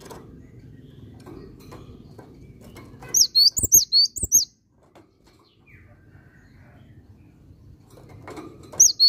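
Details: Cinereous tit, a genuine bird singing eagerly: a short cluster of shrill, downslurred whistles after a quiet stretch, with a few hollow knocks and another high note near the end.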